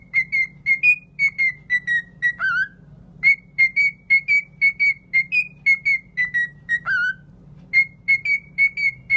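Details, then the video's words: Cockatiel whistling: clear, short, steady-pitched whistled notes in quick runs, with a couple of lower, falling slurred notes between runs. A low steady hum sits underneath. "تغريد ببغاء كوكتيل"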